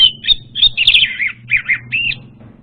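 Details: Orange-headed thrush lure song: lively whistled phrases with rising and falling slurs and a short buzzy burst, about eight notes in two and a half seconds, over a low steady hum.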